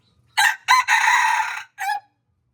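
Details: Red junglefowl crowing: a short opening burst, a brief second note, then a long drawn-out harsh syllable and a clipped final note, about one and a half seconds in all, over a faint low hum.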